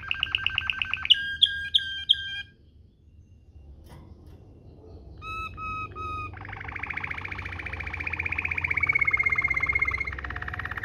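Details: Rolling canary song, Waterslager style, used as a training tutor. A trill and bright whistled notes, a near-silent pause, three clear flat whistles, then a long dense roll with a thin whistle on top.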